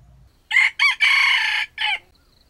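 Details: Loud, close crow of a junglefowl used as bait in a wild chicken trap, with an earthy voice: two brief clipped notes, a long hoarse drawn-out phrase, and a short descending ending, in otherwise quiet surroundings.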